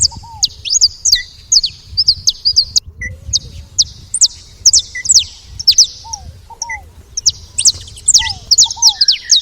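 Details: Saffron finches make noisy chatter at a feeder: dense high chirps sweeping down, short mid-pitched pips, and occasional lower curved notes.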